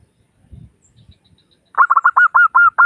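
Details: Local Zebra Dove in a 'crystal' voice, used as a lure to prompt other doves to call. After a quiet start with faint low rustling, a fast run of about seven clear, even, hollow cooing notes begins, each note sharply attacked.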